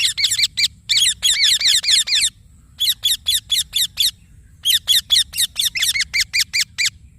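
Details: Loud, dense chirping from a green Indian ringneck parakeet: long runs of sharp, rasping high notes in quick succession, broken by two short pauses.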